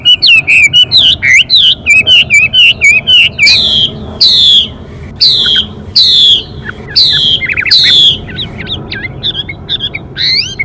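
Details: Chinese hwamei male singing with continuous voice changes as the female calls to excite him: a long fast run of varied looping whistles, then strong high downslurred notes every second or so, with twittering between.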